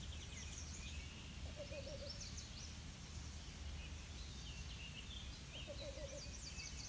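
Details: A Least Bittern at Presque Isle State Park, PA, on 16 June 2017, gives a soft, low, quick stuttering run of notes twice, about four seconds apart, over low rumble and chatter from other birds.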